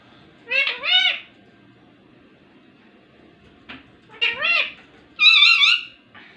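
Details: Ringneck parrot mimicking speech in two clear two-syllable, meow-like phrases, then a loud quavering harmonic call, in a quiet room.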